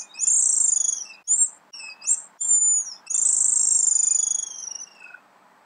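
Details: A swallow, described as fork-tailed, blue-black above with a reddish-brown forehead and throat and a white belly, sings high, fast twittering phrases: a long buzzy trill, a few short chirps, then another extended trill that fades and drops slightly.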